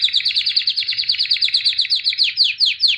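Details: Albino white canary, a 2017 champion, delivering a fast rolling trill of rapidly repeated high buzzy notes, even and continuous throughout, with faint low background rumble.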